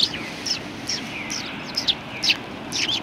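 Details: Sparrows perched on a bench at a Tenmangu shrine on 21 January 2020, giving scattered short high chirps every half second or so over a steady hiss of outdoor background noise.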